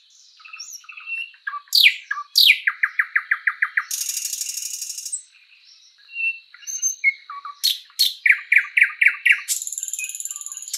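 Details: Thrush nightingale, or sprosser, singing in a spring forest: varied phrases of rising whistles and fast rattling trills of repeated notes, a dense buzzy burst, a short pause, then more rapid trilled series.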